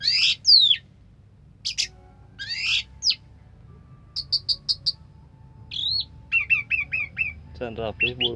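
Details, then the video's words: Orange-headed thrush song, 'sampai teler' style: loud sweeping whistles and rasps, a quick run of four high notes, a twisting whistle, five repeated chirps, then a rough descending rattle. "suara kicauan burung anis merah sampai teler"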